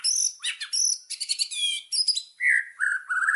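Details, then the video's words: Indonesian white-rumped shama song: high rapid chattering trills and ringing buzzy notes, then lower sweet whistled phrases repeated in short bursts near the end. "Pancingan burung murai batu"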